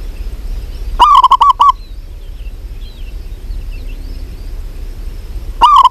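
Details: Local female zebra dove calling a male: a rapid rolling series of about six hollow coos, a pause of four seconds with faint background, then the series begins again.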